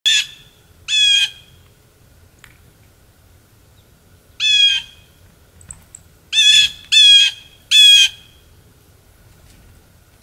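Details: Blue jays at a feeding frenzy in Maine, United States, in December 2023: harsh, buzzy, nasal jeers about half a second long, given singly and in quick runs of two or three, with quiet gaps and faint low background rumble.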